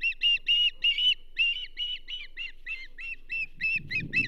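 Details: Osprey, banded female at the Charlo nest, 27 April 2024, during a whole whitefish delivery. Fast run of high, strained chirps, loud at first, then softer and quicker, ending with rustling and nest noise.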